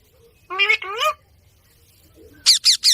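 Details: An Indian ringneck parrot on village ground makes two drawn-out, harsh, nasal squawks, then after a pause three quick shrill screeches in a row.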